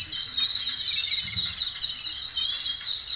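Jungle babblers keep up a steady, harsh, squeaky chatter at a fairly high pitch for the whole stretch, with a faint low rumble beneath.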